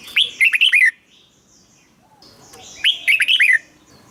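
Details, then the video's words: Red-whiskered bulbul song for luring or exciting birds: two matching phrases of about five rolling, slurred whistles, roughly two seconds apart, with quiet gaps between. "เสียงนกกรงหัวจุก สำหรับต่อ หรือ เปิดให้นกคึก เสียงเพราะๆ"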